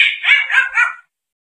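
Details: Grey parrot: a single short, hoarse burst of three quick wavering syllables, fairly high-pitched, ending abruptly in silence.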